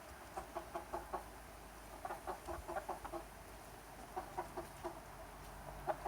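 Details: Summer flock of chickens and roosters clucking softly in short regular pulses, bunched in runs of several notes, over a constant low hum.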